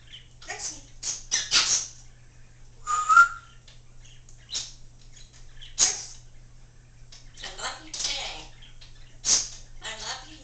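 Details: Congo African grey parrot, a talking female pet, indoors making a run of dry clicks and short bursts broken by a brief clear whistle, with quiet pauses and faint background hum.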